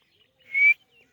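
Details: Grey francolin, known locally as white teetar: one loud, clear whistled note that rises slightly in pitch and lasts about a quarter second, with faint softer notes around it.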